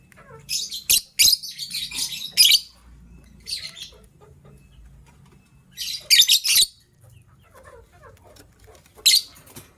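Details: Lovebird, described as yellow-green with a gray bird about to lay eggs, calling in the morning: harsh, shrill bursts of high chirps in clusters near 1, 2.3, 3.6, 6.3 and 9.2 seconds, with quiet gaps and soft low rumble between.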